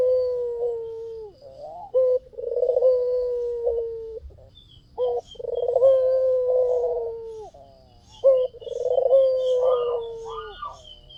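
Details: White dove repeating its cooing phrase as a lure: throaty trills leading into long, level then falling coos, about three phrases over several seconds, with faint high chirps of other birds behind.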